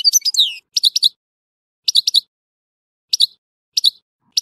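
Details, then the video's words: A European goldfinch in Tissemsilt gives a short twitter, then repeats clipped three-note chirp groups about every second or so, with clean silence between. "تغريد حسون تيسمسيلت"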